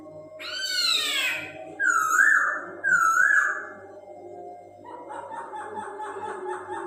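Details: Chinese hwamei singing: loud harmonic descending sweeps, then two wavy whistled phrases, followed by a fast run of short repeated notes over a low background hum.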